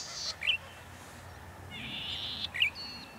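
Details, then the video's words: At dusk in October 2017, a breeding male Golden-headed Cisticola at Pitt Town Lagoon, NSW, gives two phrases, each a rasping buzz followed by one short, bright liquid note. "Feeling chirpy – Golden-headed Cisticola at Pitt Town"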